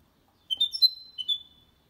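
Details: Goldfinch × canary hybrid, song recording for stimulating males and teaching young birds; two brief bursts of high, clear whistled notes, the first a quick rising and falling group, the second shorter.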